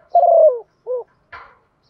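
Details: A female dove calls to attract males with a long, gently falling coo and a short rounded note, followed by a brief scuffling noise.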